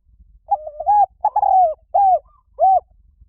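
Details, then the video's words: Spotted dove decoy call for luring wild doves: a run of four or five low, rounded coos, the first ones slurred together and the last two short and separate, with nothing else clearly audible. "เสียงนกเขาใหญ่ หมานๆ ต่อเข้าเร็ว ป่าไหนก็เข้า"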